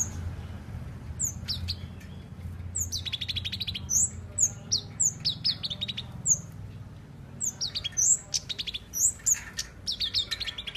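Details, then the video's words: Tame, caged flowerpecker (cabe-cabean) singing actively: very high, thin, sharp tsit notes and short descending whistles, interspersed with brief rattling trills at a lower pitch, delivered in irregular bursts over a steady low hum. "Cabe cabean Gacor Jinak"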